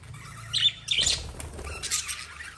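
Lovebirds chirp in quick, shrill, high-pitched bursts, several overlapping notes with scratchy squeaks between, over a faint low hum.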